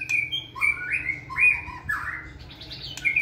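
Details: White-rumped shama, caged in a flight cage for stamina training, singing a varied whistled phrase: clear flutelike notes, slurred swoops and a burry trill, ending in a quick high flourish.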